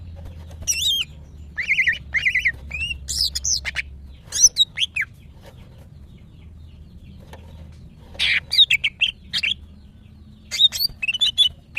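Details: Female greater green leafbird, kept as a cage bird and said to be in breeding condition, calling to attract males; bright chirped and warbled notes around the upper range come in short clustered bursts separated by quiet gaps, with a low hum beneath.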